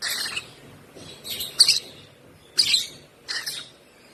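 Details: Hand-fed African lovebird chick, one month old, uttering four slightly longer, rasping high chirps spaced about a second apart in a quiet setting.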